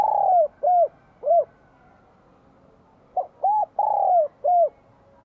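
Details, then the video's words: Bell-voiced spotted dove, Vietnam, spring 2023, singing vigorously to stir wild doves: the tail of one phrase of arched coos, a pause, then a complete phrase of a short note, a rounded coo, a long falling coo and a closing coo. "CHIM CU GÁY GIỌNG CHUÔNG KÍCH BỔI CỰC SUNG CHÀO XUÂN NĂM 2023"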